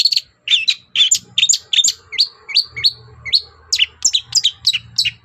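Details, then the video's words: Long-tailed shrike giving its morning song to provoke other birds into answering: a steady run of crisp, high chirps, many with upward flicks, repeated about twice per second, with a faint low hum behind. "SENSASI CENDET GACOR PAGI HARI BIKIN BURUNG APAPUN EMOSI NYAUT BUNYI"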